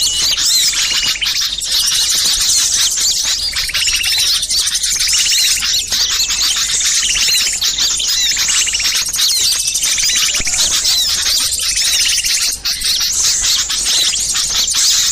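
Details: Busy chorus of many small birds, used as a lure to bring wild birds in: thick layers of shrill chips, trills and rapid twittering run without a break, with sharp notes scattered throughout and no other clear sounds.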